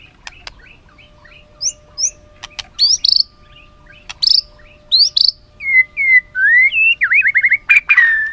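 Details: White-rumped shama song intended to train other shamas. Faint soft chirps and sharp clicks at first, then louder clear whistles and a quick series of V-shaped slurred notes near the end.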